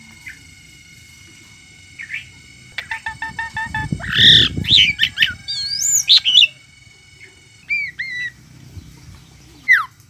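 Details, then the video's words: Varied myna song: isolated squeaks, a quick train of clicking harmonic pulses, a loud burst of harsh chatter, then looping whistled slurs and sharp downward-swept notes spaced out toward the end. "chim sáo hót"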